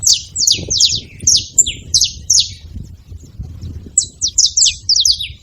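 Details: Saffron finch making noise in two bursts of quick, high, slurred chirps separated by a short lull, with low-pitched background rumble throughout.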